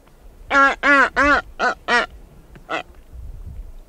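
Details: A female blue-footed booby walking around its nest site gives five hoarse, nasal, goose-like honks in quick succession, then one more after a pause.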